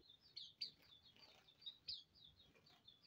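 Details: Hume's white-eye colony bathing together; high thin chirps and twitters around a steady pitch overlap from several birds, with sharper louder notes near the start and end over faint background hiss.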